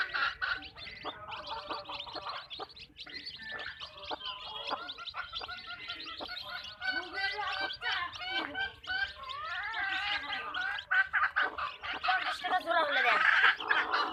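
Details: Flock of hens on a backyard chicken farm clucking continuously: overlapping harmonic, nasal calls and quick chirps from many birds, growing busier toward the end.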